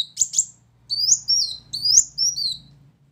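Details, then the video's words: Brown-throated sunbird, singing vigorously: two quick sharp chirps, then several thin, high, downslurred whistles in pairs, over a steady low mechanical hum. "Kolibri Wulung Gacor Tembakan Keras"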